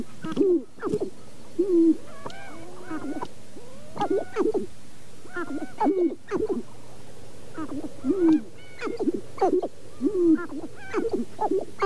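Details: Sharp-tailed grouse at Namekagon Barrens, northern Wisconsin, in April, recorded with two shotgun microphones: hollow, owl-like hooting coos that rise and fall, overlapping from several birds, mixed with short sharp yelping notes throughout.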